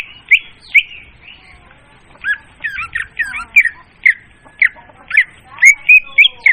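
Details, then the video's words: Leafbird used as a trapping lure gives loud, clear song: scattered sharp chirps, then a denser series of bent, slurred whistles about every half second, ending in a steady whistled note. "suara pemikat burung murai daun||suara jernih dan volume keras."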